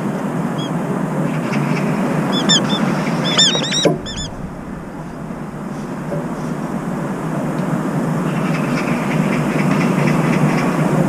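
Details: Brown-eared bulbul, one of a pair guarding while its partner feeds and bathes, uttering a short cluster of harsh, ringing, arched squeals midway, with steady low rumbling noise before and after.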